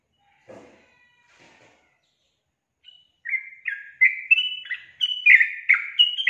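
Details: Sooty-headed bulbul singing: after faint scattered notes, a run of loud, clear whistled phrases from about three seconds on, rising and falling quickly, repeated about once a second, growing louder toward the end.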